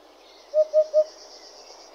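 A Eurasian hoopoe gives three soft, low hollow hoots, 'oop-oop-oop', evenly spaced in quick succession, over a faint high insect-like hiss.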